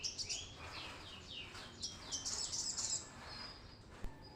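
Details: Brown-throated sunbird in full song, a lure for training newly caught birds: quick run of high, sharp, twittering notes with downward-sweeping chips, building to a dense trilled burst near the end.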